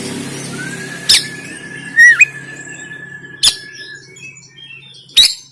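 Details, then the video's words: Oriental magpie-robin 'konslet' fighting song, Banten, recorded on an Android phone: a sustained thin level whistle with a dipping twist, punctuated by three sharp cracking notes at intervals, over low hum. "KACER KONSLET TARUNG"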